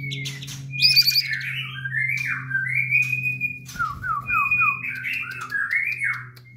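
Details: White-rumped Shama (murai batu) at a local breeding farm; a series of whistled slurred phrases and descending note runs repeated across the clip, over a steady low electrical hum.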